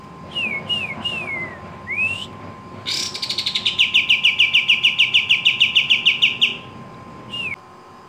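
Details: Four sharp, slurred whistles, some falling and one rising, lead into a sustained rattling trill of rapid high notes from a Javan kingfisher calling vigorously. A final short whistle follows over a faint steady hum.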